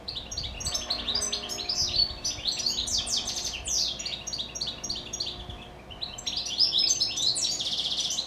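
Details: Captive pet goldfinches in the evening, after singing all day, giving a fast, tinkling twitter of high, liquid notes mixed with brief buzzy trills, running almost without pause, over a faint low hum.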